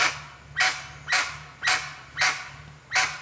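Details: Five loud, raspy honking bursts from a wild guan, evenly spaced about two per second, over a constant low mechanical hum.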